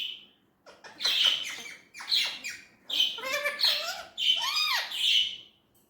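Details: Talking Indian ringneck parrot producing four or five clipped, speech-like phrases with gliding, wavering tones and gravelly squeaks, quiet room behind.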